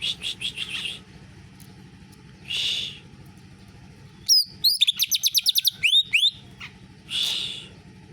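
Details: Greater green leafbird trained on canary song, caged: short buzzy bursts separated by pauses, then a rapid run of high rising whistled notes repeated several times a second, followed by another buzzy trill.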